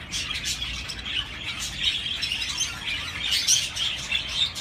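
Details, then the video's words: Budgerigar chirping: rapid high-pitched twitters and scratchy warbles from several birds, a sharper squeaky note near the end, over soft background hum. "تغريد طيور الحب البادجي"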